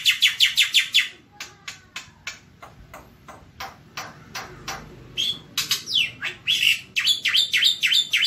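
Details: Javan white starling giving a series of sharp, dry chips, spaced unevenly at roughly two to three per second, then a brief whistled slur and a faster burst of scratchy notes at the end.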